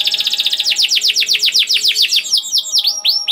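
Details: Canary song used as a prompt to get young canaries singing: fast rolling trill of repeated down-slurred notes, about four per second, ending in slower swooping whistles.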